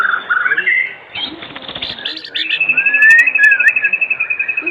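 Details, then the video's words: Oriental magpie-robin singing as an afternoon lure for other magpie-robins: sliding whistles, a noisy patch, then a long sustained whistle overlaid by fast pulsed notes and a rising slur. "Pancingan Sore Murai Batu Gacor di Jamin 100% RESPON buat pancingan murai batu pastol agar bunyi"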